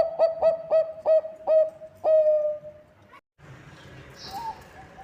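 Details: Zebra dove of Bangkok type in full voice, its song offered as a lure for other birds: six strong, rounded cooing notes with rich overtones, the last one stretched out, then a brief cut and quieter background noise.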